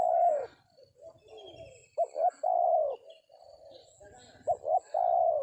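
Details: Spotted dove (tekukur) calling during a trapping session with a decoy bird in an oil palm plantation; repeated phrases of two quick clipped coos followed by a long sustained coo, with soft high bird chirps behind.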